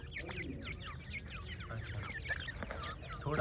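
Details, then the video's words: Steady chorus of high, thin chirps from several francolin chicks, each note a quick downward slur, repeated densely over a low rumble, with a brief louder noise at the very end. "تیتر کے بچے اور مست آواز"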